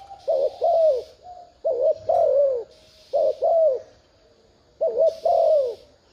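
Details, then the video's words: Spotted dove luring call: four low mellow phrases, each a brief quavering lead-in then a drawn-out falling coo, separated by short pauses, with patches of high buzzing hiss in the background. "Tiếng chim cu gáy thúc gù kích mồi mở lên bổi gáy liền"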